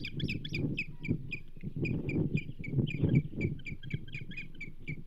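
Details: Osprey calling at the Charlo nest on 27 April 2024, when a whole whitefish reaches the banded female. Steady stream of shrill, piping chirps, several per second throughout, with heavy low wind buffeting beneath.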